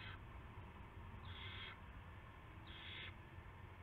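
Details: Owl at a nest early on March 9, 2016, as a rat is brought. It makes three raspy, breathy hisses about 1.4 seconds apart, each near half a second long, over a soft steady low hum with occasional faint ticks.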